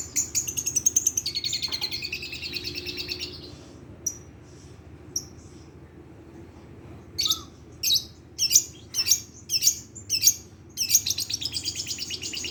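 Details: Long-tailed shrike of the Madura type, kept as a master bird for training and luring other shrikes, its song filled with rapid bursts and imitations of sparrow and lovebird. Dense high trills, a pause, then sharp repeated bursts about every half second.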